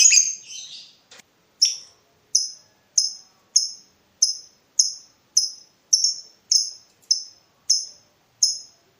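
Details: Lovebird call used to provoke a rival in breeding mood: a brief rough burst, then a steady run of short sharp high chips repeated about every 0.6 seconds, thirteen in all.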